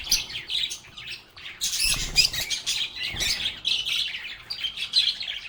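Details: Group of lovebirds (Agapornis) singing, playing and talking, with busy overlapping high chirps, buzzy squawks and warbled phrases, plus a couple of soft low thuds partway through.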